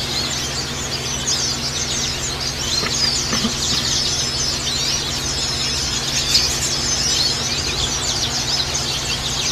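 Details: White-eye of the Bustomi type, played to make a reluctant caged bird sing: dense, high, fast twittering runs of thin chirps that carry on without pause, over a steady low electrical hum and a faint background clatter.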